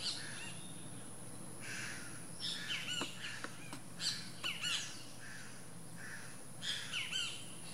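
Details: Calls of a least grebe at the nest: scattered high, bent squeaky notes and sharp clicks come in irregular bunches through the recording, with a low rumble and a constant thin high tone behind.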